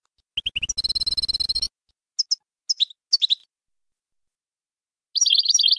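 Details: European goldfinch singing the Bayanam Ghazarat song for teaching young birds: a fast, buzzy run of rapidly repeated notes, then a few separate high twittered chirps, and a final burst of rapid tinkling notes.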